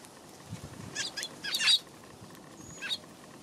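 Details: Sparrows on a March 31 afternoon giving a few short, high chirps in brief clusters near the middle and a lone note toward the end, over quiet background hiss.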